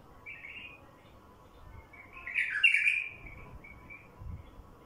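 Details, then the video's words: Wild bulbul song meant to draw in wild bulbuls: a soft warble, then a louder, tumbling phrase in the middle, trailing into a few quiet chirps against a low background hum. "تغريد بلبل وحشي لفتح البلابل الوحشية"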